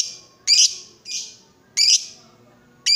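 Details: Excited caged lovebird, provoked to call, delivers loud harsh screeching bursts with a falling buzzy tail, about three bursts in three seconds over faint low background rumble.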